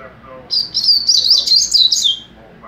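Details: Young double-collared seedeater kept in captivity, singing mateiro style: a loud, high, continuous run of rapid twittering and slurred whistled notes lasting about a second and a half, ending on a falling note.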